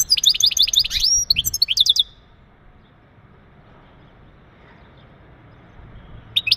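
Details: Male European goldfinch giving twittering mating calls meant to ready a female for breeding: about two seconds of rapid, high, tinkling chirps and trills, then near silence, with a brief chirp returning at the very end.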